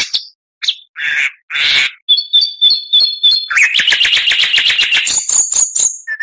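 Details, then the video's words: Oriental magpie-robin tutoring song: harsh scratchy notes, a series of paired high whistled chirps, then a rapid dense trill rising into a sustained high whistle and a final lower note. "MASTERAN KACER .MATERI FULL"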